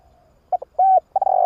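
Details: Spotted dove lure call for attracting doves: two short clipped notes, a steady mellow coo, then a quavering coo cut off at the end.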